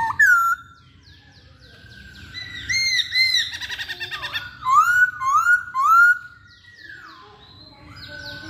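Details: Hwamei (Chinese hwamei) singing: loud clear whistled phrases with rising and falling slurs around the middle range, a fast stuttering run of rapid notes, then a series of upward-swooping whistles repeated about every half second, quiet room background.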